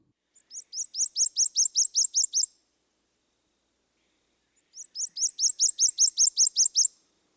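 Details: Prothonotary Warbler, a bird of swamps, river bottoms and flooded forests, singing in spring: two bright, ringing phrases, each a string of about ten loud, evenly spaced sweet notes, high-pitched and clear, with no other sounds.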